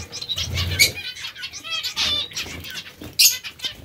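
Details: Zebra finches feeding on vegetables give clipped, nasal beeping calls in quick bursts, with a flurry of wingbeats early on and a sharp knock near the end.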